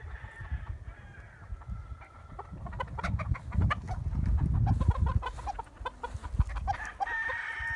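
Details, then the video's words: A flock of chickens and roosters clucks steadily, short choppy notes about every quarter second, with heavy low thumping and a faint drawn-out crow at the start and end. "Wake up to the sound of chickens and roosters crowing"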